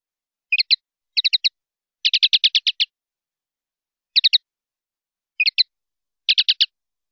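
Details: Linnet singing in the 'pardillo limpio' style, taken from a 2019/2020 CD: clipped twittering phrases of three to four notes, separated by gaps, with two longer rapid rattled runs. No background noise.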